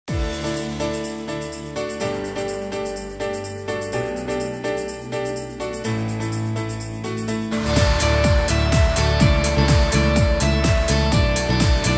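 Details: Steady instrumental music with a driving beat and no animal calls.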